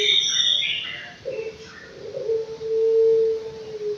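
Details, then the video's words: A five-month-old Anggungan in an aviary gives a long, even, low hum-like coo swelling in the second half, after some higher chirpy sounds at the start. "BURUNG ANGGUNGAN USIA 5 BULAN"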